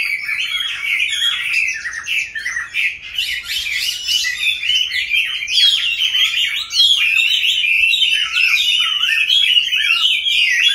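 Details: Chinese hwamei in a cage, among birds kept since wild capture and now in a fifth year, pouring out long varied song of clear whistles, trills and quick slurred notes, growing louder toward the end.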